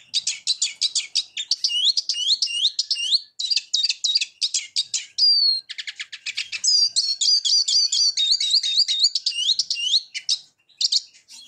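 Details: Long, energetic Eurasian siskin song mixing fast chatter with series of repeated downslurred whistled notes, a brief buzzy note in the middle, and chirpy trills throughout.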